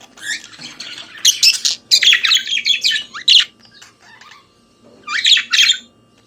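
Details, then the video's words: Budgerigar singing in the morning, kept as a pet: chattering warble of rapid buzzy and squeaky notes in dense bursts, pausing near four seconds before a final chattering phrase. "Periquito Australiano Cantando pela Manhã"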